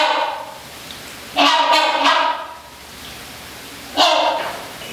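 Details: Captive rhinoceros hornbill at Milwaukee Zoo giving resonant, nasal honks: a double burst, then a single honk after a short pause, with room echo.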